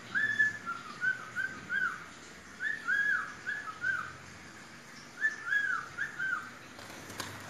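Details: Whistled rendition of "Atirei o pau no gato" by a pet parrot urged to sing: three clusters of rapid, rising-and-falling whistled notes separated by brief silences, ending with a few soft clicks.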